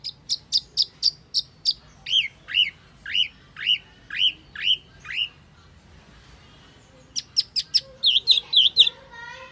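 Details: Wambi lure call used for luring: quick high piping notes, then a steady string of falling, hooked whistles, a pause, and another burst of sharp high notes with wavering whistles.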